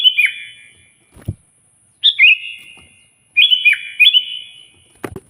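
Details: Loud Sooty-headed bulbul singing to challenge a rival: mellow, slurred whistles in pairs dropping in pitch, three phrases in five seconds, with a few knocks and rattles nearby.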